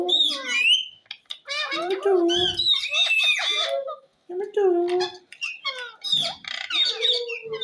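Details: Indoor pet ringneck parrot chattering in imitated words, mixing lower voice-like syllables with shrill squawks and thin whistles over about seven seconds, with one short silent gap midway.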